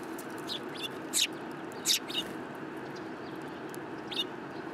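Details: City sparrows arriving to be fed, 30 November 2015: sparse bright chirps, two stronger notes about a second apart and fainter ones around them, with a steady low urban drone beneath.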